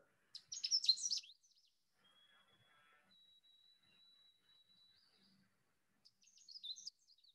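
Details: Canada warbler (Cardellina canadensis), a steeply declining species breeding in South Carolina's mountains, sings twice: a quick chip launching a rapid, jumbled burst of high warbling, with a White-throated Sparrow's thin, drawn-out whistles between.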